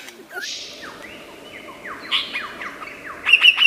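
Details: Lyrebird from Australian forests, known for mimicking many sounds, giving varied song: downward whistled slurs and buzzy notes around a steady high tone, ending in rapid bright chips, over a low background hum.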